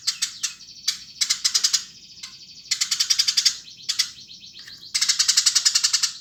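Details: Lively Eurasian tree sparrow song of loud, rapid chirp series, each burst of six to ten notes, linked by faint high buzzing between bursts.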